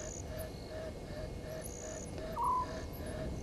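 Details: Southern white-faced owl calling after midnight, 00:40 on 17 November 2019, at Gowrie dam, Djuma Game Reserve, Sabi Sand Wildtuin, South Africa: a single short, low, wavering hoot late in the clip, amid repeated high insect trills and soft low noise.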